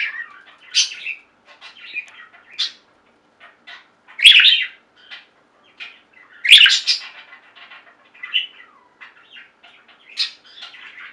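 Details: Budgerigar flock kept as pets, singing and chirping: scattered soft chattering notes broken by louder squawky chirp bursts roughly every two seconds.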